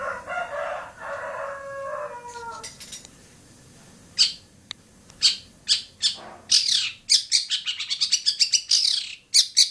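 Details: Long-tailed shrike (cendet) singing at Bobotsari: starts with a nasal, buzzy note rich in overtones lasting about two seconds, then sharp clipped clicks and chacks that speed into a dense chattering burst near the end.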